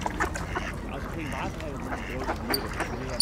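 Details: Mallard ducks in a winter feeding frenzy at a shrinking ice hole among Eurasian coots and swans, scrambling for scattered bird seed; short nasal quacks overlap with a man talking in Dutch and water splashing.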